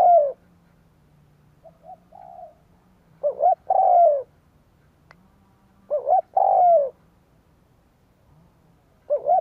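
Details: Lure spotted dove giving its cooing song to draw wild doves: three loud phrases of a brief double note and then a long falling coo, about every three seconds, with quieter soft coos between them over a low hum.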